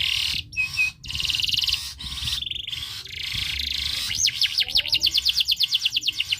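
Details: Canary in breeding condition, song meant to make other birds sing: buzzy rattles broken by pauses, then a steady run of rolling looped notes about three a second.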